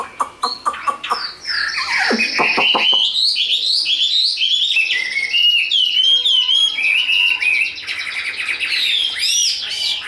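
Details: A tame, large-bodied Chinese hwamei in fighting display pours out a loud, rich, fast song of varied whistles, slurred notes and sharp trills, opening with a few clipped calls.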